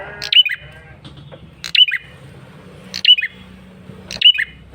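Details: Insistent lure call of a male red-headed prinia: four sharp, high chirping bursts, each ending in a quick downward-twisting note, spaced about 1.3 seconds apart over a steady low hum.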